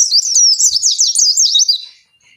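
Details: Oriental white-eye in lure song for captive pleci: a dense, shrill run of twittering high whistles lasting about two seconds, then fading out.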